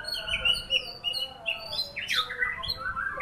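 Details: White-rumped shama, a champion-class bird, singing a rich, varied song: clear whistled notes around the upper-middle range, quick sweeping slurs and a loud descending flourish near the middle, phrases following closely one after another.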